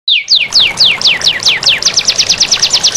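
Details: Canary master song used to prompt lazy canaries to sing, with running water added: a rapid series of high descending whistled notes that speeds into a fast, even trill.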